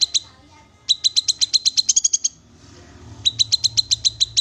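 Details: Black-capped babbler calling in fast, sharp, high notes in two strings, the first quickening into a brief rattle before a pause, the second steady and evenly spaced.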